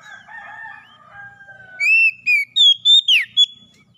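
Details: A drawn-out, lower crowing-like sound opens, then a captive-training song of the oriental magpie-robin follows: a run of short, loud, pure whistles, one swooping sharply downward.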